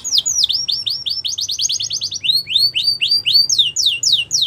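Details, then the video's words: In the wild, a yellow canary sings rapid tours of falling whistled notes, switching to a faster trill and then to rising, upslurred phrases. "Yellow Canary Singing In The Wild"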